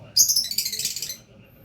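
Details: Lovebird in gacor, lively nonstop singing: one dense, harsh burst of high chattering notes lasting about a second, then quiet with a faint low background hum.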